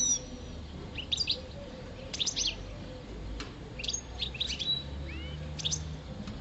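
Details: A five-year-old pet European goldfinch (parva) sings during mating season: lively runs of high, tinkling twitters in quick groups, with a pair of rising slurred whistles near the end, over low background hum.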